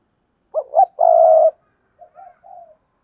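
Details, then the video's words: Spotted dove used as a decoy bird, cooing to lure wild doves: two short rising coos followed by a long, rolling, purred note, then a few softer, fainter coos trailing off. "tiếng cu mồi thúc bổi và gáy gọi hay// Tiếng cu gáy mồi chuẩn kích bổi nhanh nổi"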